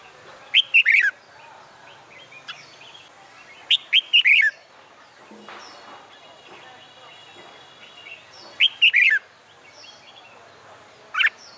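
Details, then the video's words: Red-whiskered bulbul practising for song contests on a summer day: loud, fast, fluty phrases of up-and-down notes, four bursts spread over the recording, separated by quiet stretches with faint chirps and a brief noise. "LUYỆN CHÀO MÀO HÓT ĐẤU/ CHIM CHÀO MÀO HÓT GIỮA NẮNG NGÀY HÈ"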